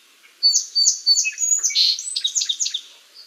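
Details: Adult song sparrow singing a complex song, one of about ten similar variants a male learns mainly from neighbours: a few clear high introductory notes repeated, then a rapid jumble of buzzy trills and chips, sweet and bright, about three seconds long.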